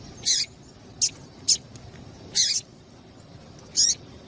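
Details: A female double-collared seedeater calls to excite a male into song, giving five short, bright, very high chirps at uneven intervals, roughly one every second, with quiet low background noise.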